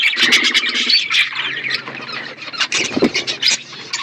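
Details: Budgies in a flock, feeding, with steady overlapping high chirps and scratchy warbles and a faint low hum underneath throughout.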